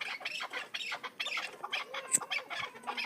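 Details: ['Hybrid chukar partridge calling: a quick run of harsh, squawky, clucking notes, each brief and repeated several times a second with uneven spacing, plus one sharp high click.']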